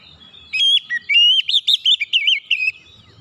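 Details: Lure song from an oriental magpie-robin, used to prompt other birds to sing: a rapid sequence of clear looping whistles, rising and dipping, about ten notes in two seconds.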